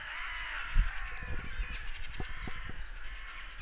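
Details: Crows calling hoarsely after a goshawk's apparent attack; drawn-out rasping caws blend into a dense chorus, mixed with thumps and heavy low wind noise.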